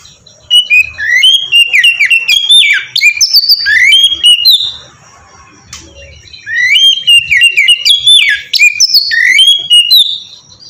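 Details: Oriental magpie-robin giving its ngeplong song, a lure for making magpie-robins sing: two long, dense runs of clear whistles and sharp chirps rising and falling, split by a brief quieter pause.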